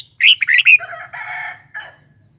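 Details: Kept red-whiskered bulbul giving a fast, tumbling run of warbled whistles that slides into a long, harsh, buzzy chattering note and a shorter rasp.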